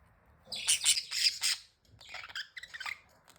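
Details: Budgerigars at play give a few loud harsh squawks in quick succession, a short pause, then softer buzzy chirps.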